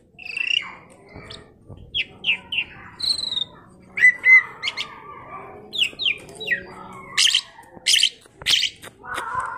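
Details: Tame Asian pied starling meant for training other birds to sing gives scattered whistled slurs and short descending notes between pauses, later harsh scratchy bursts and a lower warbled phrase.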